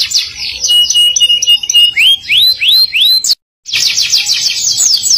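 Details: Singing canary alternating rapid chattering trills with a sustained clear whistle and a series of upward-curving slurred notes, cut by a short silent gap before a fresh burst of fast trilling.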